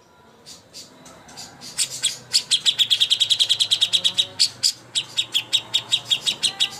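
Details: Master song of a cucak hijau (greater green leafbird) for bird contests: soft, scattered chips that build into a loud, rapid chattering series of high notes, which then slows into spaced, emphatic chips.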